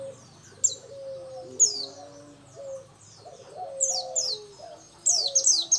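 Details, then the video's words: Local dakun-type Oriental white-eye singing vigorously: scattered high, thin notes sliding downward, grouped in short runs, over soft low cooing from doves in the background. "Pleci dakun lokal gacor"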